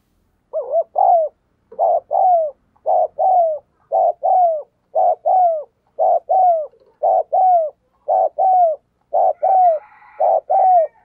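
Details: Decoy spotted dove giving vigorous, persistent 'gù thúc bổi' coos meant to provoke wild doves: paired low hollow notes, a short burst then a longer falling one, repeated about once a second in a steady run, with a faint buzzy sound near the end.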